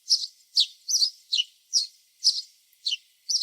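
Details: Backyard house sparrows calling insistently, sharp chirps repeated about twice a second, a few notes doubled into a quick two-part chip.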